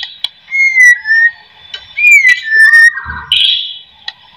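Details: White-rumped shama song used to coax other shamas into singing: clear whistled notes sliding downward, a bright rising whistle, then a harsh burst and a lone sharp click.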